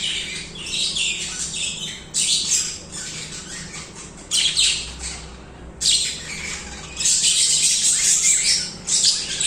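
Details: Budgies singing continuously in loud, buzzy, high-pitched bursts of chatter, with short quieter breaks, ending in a long dense stretch of scratchy warbling.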